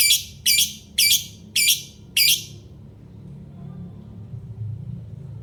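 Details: Five harsh, shrill lovebird chirps repeat roughly every half second, then stop, leaving only a low rumbling hum for the remaining seconds.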